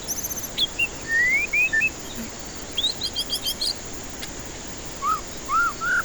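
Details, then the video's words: White-rumped shama song meant to coax stressed birds into singing: a long rising whistle, varied slurred notes, a fast run of high chips, then lower mellow arched whistles, with steady hiss behind. "Pancingan murai batu ampuh cocok untuk pancingan murai batu stres malas bunyi"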